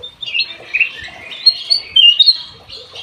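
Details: Black-naped oriole in lively song at an aviary: a rapid string of high, slurred, somewhat harsh notes rising and falling, loudest near the end of the phrase.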